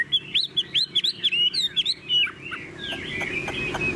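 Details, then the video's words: A tame captive Chinese hwamei sings steadily, in the owner's words like a machine: a quick run of clear, looping whistles repeated about every quarter second, then longer slurred, falling phrases. "Họa mi đẳng cấp, chim thuần, hót như 1 cái máy"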